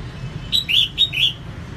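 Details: Red-whiskered bulbul female singing, used to excite male birds; four quick rich whistled notes in one bright phrase, slurred up and down, over a faint low rumble.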